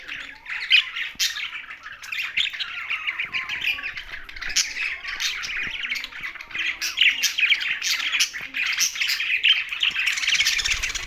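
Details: Budgerigars kept with parrots in Larkana, Sindh fill the air with a loud, unbroken chirping chatter, many overlapping squeaky notes rising and falling, with sharp clicks throughout.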